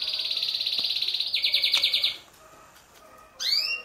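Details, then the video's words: Male canary singing to stimulate females for mating: a fast, high buzzy trill of rapidly repeated notes for two seconds, shifting to a lower rolling trill, then a short pause and a bright rising upslurred note. "اقوى تغريد كناري للتسميع و تهييج الاناث للتزاوج"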